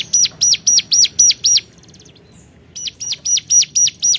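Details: Calling to rivals, a hill prinia delivers six loud high arched notes at a steady pace, pauses with a faint buzzy rattle, then repeats seven more of the same ringing notes.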